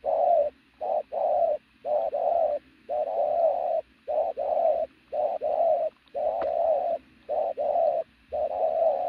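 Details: Loud, steady cooing from a strongly built pigeon, long low hoots alternating with short notes at a regular pace of about one per second for nine seconds, with one sharp click.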